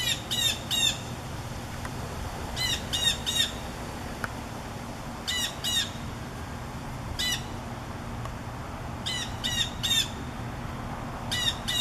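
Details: Blue jay in trees ahead of an approaching summer thunderstorm, probably warning the other birds: harsh squawks in groups of two or three, repeated every couple of seconds over constant wind and storm rumble.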